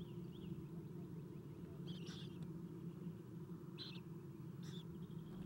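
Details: Nest-cam recording of Eastern screech owl owlets being fed at dawn, 7:04 am, 11 April 2016; three brief harsh rasping bursts stand out above a constant low droning background.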